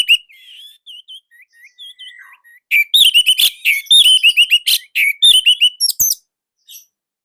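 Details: Loud, tight song of an Indonesian orange-headed thrush: soft hooked whistles at first, then about three seconds of fast, dense, high-pitched chattering with sharp clicks, fading into a few quiet notes.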